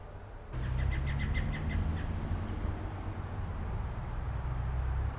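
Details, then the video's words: American robin at a feeder in May 2021, recorded on a GoPro HERO8 Black: a rapid run of about eight short, sharp chirped notes over roughly a second and a half, then stopping, over steady low rumbling background noise. "American Robin"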